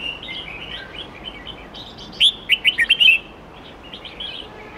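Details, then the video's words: Red-whiskered bulbul singing a wild-style song with many voices and 8-10-note phrases, used to tutor young birds: one burst of about six loud, quick, liquid whistled notes midway, with fainter chirping birds and steady hiss behind. "Chào mao hót nhiều giọng chuẩn rừng âm 8-9-10 cực hay/Dùng luyện chim non học giọng chuẩn"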